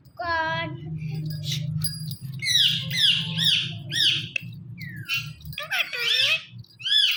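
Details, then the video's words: Talking Indian ringneck parakeet giving a run of harsh, harmonic squawks and arching, bent syllables, loud and almost continuous, over a low steady hum. "Funny Indian Ringneck Talking Parrot"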